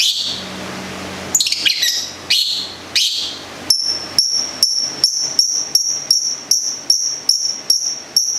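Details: Caged local Long-tailed shrike from Gedong Songo, Central Java, singing: a few varied harsh high chirps, then a steady run of sharp, ringing high notes repeated about three times a second.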